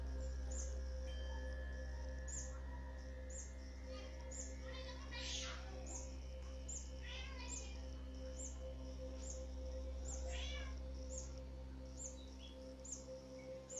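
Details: Birds bathing and calling in a backyard in Pilicode village, Kerala State, India, recorded on a mobile phone: scattered short, bright harmonic chirps in small bursts, over a steady low electrical hum and a fast regular high ticking.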